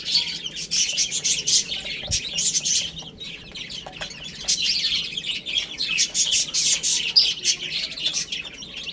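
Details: Several chicks eating and playing, giving dense, high-pitched peeping chirps in rapid overlapping bursts, with a short lull in the middle before the chatter picks up again.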